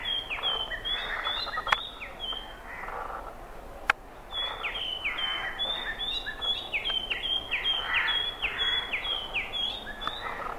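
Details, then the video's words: Oriental magpie-robin (Copsychus saularis) song: a fast, uneven run of clear, high, down-slurred whistles, with steady outdoor hiss and two sharp clicks. "song of oriental magpie robin"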